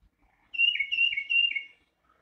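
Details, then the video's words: A Tufted Titmouse, a common bird in southern Wisconsin, sings a high, whistly song: three quick, clear two-note phrases, peter-peter-peter, slurred downward. "Okay, so we have a tufted titmouse song. Ready? Here it comes."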